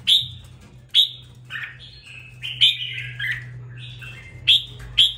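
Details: Captive red-whiskered bulbul, two weeks into care and finding its fiery voice; crisp high notes alternate with lower liquid slurred phrases in a steady run, with a faint low hum behind.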